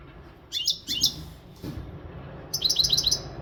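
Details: Maghreb European goldfinch, untutored, singing strongly in breeding readiness: two short sharp tinkling phrases, a soft click, then a fast string of repeated bright twittering notes, with faint hum underneath.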